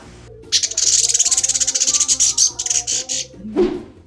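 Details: A male Long-tailed Paradise Whydah in an aviary gives a fast run of high, dry chirps, about ten a second for nearly three seconds, ending in a brief squeaky note over soft background music.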